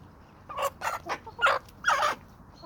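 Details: Chickens and roosters from a small suburban homestead flock in Toxandria; five harsh, raspy squawks in quick succession within about two seconds, loud and broad-toned, with quiet pauses between them.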